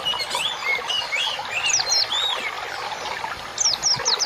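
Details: Masteran birdsong for training caged birds: varied curling whistles and chirps, with a quick series of four sharp high notes near the end.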